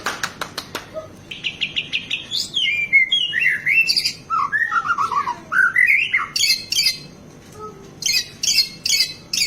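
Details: White-rumped shama belting out a song loaded with varied phrases, meant to rouse and tutor other birds: a quick series of clicks, a buzzy rattle, tumbling descending and rising whistles, then repeated harsh high bursts.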